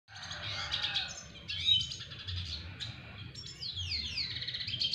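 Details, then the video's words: Double dilute red siskin singing to court a female: a dense, twittering run of high chirps and trills, with some notes sliding downward toward the end and a brief loud burst near the middle. "Red siskin Double diluet belajar merayu BETINA red siskin"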